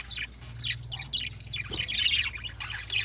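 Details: Morning lovebird calls with bright, squeaky chirps and a burst of busy chatter, along with a faint low hum.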